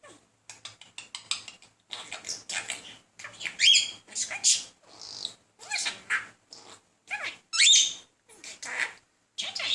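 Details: Male pet budgerigar, a talking bird, persistently chatting up another budgie in courtship; dense run of scratchy, buzzy warbles and clicks with sharp whistled notes, bursts nearly continuous over ten seconds, no other sounds.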